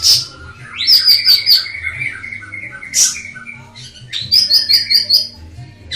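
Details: Ashy tailorbird song used as a master: quick trills of five high notes over a lower sustained whistle, a sharp single note midway, then another trill with a lower whistle beneath.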